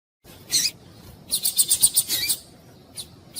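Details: Double-collared seedeater (coleiro tui-tui, Sporophila caerulescens) in Brazil: a brief high chip, a quick run of about eight bright, sharp notes, then two isolated chips over faint hiss; a recording used to stimulate males, with a female calling.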